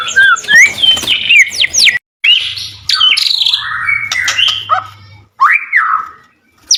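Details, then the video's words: White-rumped shama song intended to make other shamas respond: varied whistles and sweeping notes, harsh bursts, then a loud rising-falling whistled phrase after a short pause. "Suara murai batu gacor AMPUH buat pancingan murai batu agar emosi LANGSUNG NYAUT"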